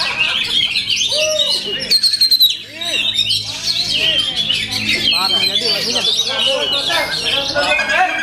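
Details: Oriental magpie-robin singing at full power: fast, varied high whistles, chirps and trills with looping lower notes. The song pauses briefly before resuming strongly, and people clap around it.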